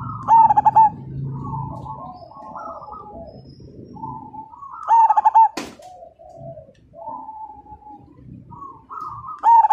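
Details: Zebra dove (perkutut) song used as a lure to set other birds singing. Three loud bursts of quick pulsed coos are spaced several seconds apart, with soft gliding notes between them and one sharp knock.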